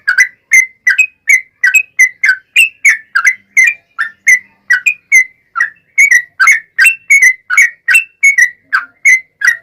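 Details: Yellow-vented bulbul giving an unbroken 'ropel panjang' song to provoke replies from other bulbuls, with rapid, evenly spaced liquid whistles slurring up and down, almost three a second, clear and loud over silence.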